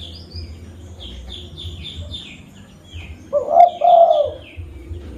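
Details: Local zebra dove used as a lure in Pidie, Aceh: a single burry, wavering coo phrase in the second half, preceded and accompanied by thin, high descending chirps from other birds.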